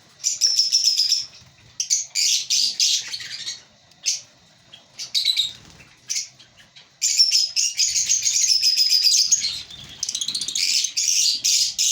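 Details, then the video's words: African lovebirds in a breeding colony chirping in shrill chattering bursts separated by short pauses, then a longer continuous twitter from about seven seconds. "African Lovebirds Breeding Colony 🐣|| Lovebird Singing & Chirping Sounds || Love Birds Sounds"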